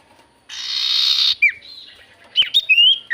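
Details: Javan white-eye song used as a lure to make a silent iora answer: a loud buzzy rasping burst nearly a second long, then a quiet pause and a quick series of sharp high whistled and slurred notes.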